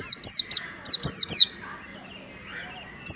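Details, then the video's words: Mountain white-eye singing as a model for teaching other birds: a burst of five or six bright, high descending whistles in rapid series, a pause of over a second, then one more whistle. "pleci ngalas belajar materi ini bisa buat masteran segala jenis burung pleci"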